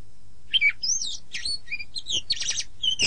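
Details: Kacer (oriental magpie-robin) master song for training birds in the morning or evening: varied slurred whistles and chips in quick succession, with a harsh buzzy burst near the end.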